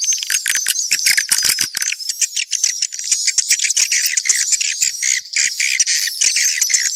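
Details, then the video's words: Mixed swiftlet calls: a dense chorus of high, rapid chirps and twitters, with sharp clicky bursts crowding the first two seconds, then a steady shimmering chatter. "Sp burung walet campuran"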